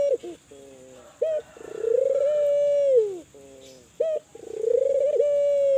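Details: Spotted dove, Kelantan type, used to provoke other doves into calling: two short clipped notes, a drawn-out purring coo sinking at its end, a lower level note, then another clipped note and rising coo.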